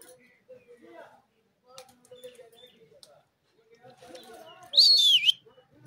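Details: Parrot mimicking human speech with soft, low, voice-like murmurs, followed by a loud, high, wavering whistled squeal near the end.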